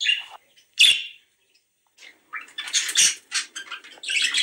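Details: Budgerigars in a recording meant to stimulate mating chatter in bright, scratchy bursts and squeaky chirps, starting as short separate notes and then running into a dense, buzzy warble.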